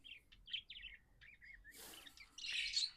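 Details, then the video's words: Budgerigar kept as a pet, described as happy, uttering quick ticking chirps that end in a louder, harsher buzzy chatter. "Happy budgie chirping sounds"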